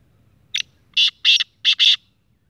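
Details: Six-month-old young black francolin (kala teetar) giving a short-cut call: one brief harsh note, then four loud, grating, buzzy bursts in two close pairs, all within about a second and a half, over a quiet background.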